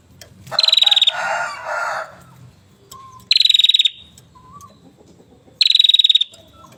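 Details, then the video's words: Hill prinia, a kept aviary bird, singing vigorously: three loud, rapid, buzzy trilled bursts, each about half a second long, repeated roughly every two and a half seconds, with a softer rough noise after the first burst. "prenjak gunung gacor parah"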